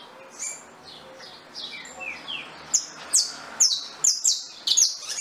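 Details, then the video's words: Singing saffron finch opens with a few soft descending whistles, then builds into a rapid run of bright, loud, downward-slurred chirps, several per second. "CANÁRIO DA TERRA CANTANDO"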